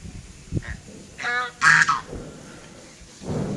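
Swans give a few brief nasal, honking trumpet notes, one a rough harmonic blare lasting under a second, over low background rumble.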